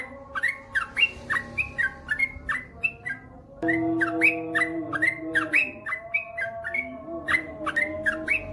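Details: Yellow-vented bulbul (trucukan), male in full song: continuous bubbly, chattering phrases of swooping chirps, roughly three or four per second, over steady low tonal humming.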